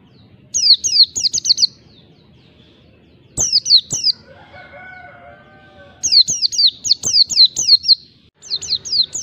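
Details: Oriental white-eye singing ngalas, the wild-type song for provoking rivals, in bursts of rapid high descending whistles separated by pauses; a lower, drawn-out harmonic call sounds between the second and third bursts.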